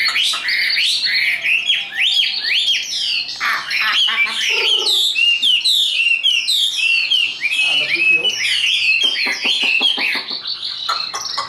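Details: Hand-tamed Chinese hwamei in a cage, a strong high singer, gives looping whistled phrases that rise and fall, broken by brief pauses and rapid chattering notes.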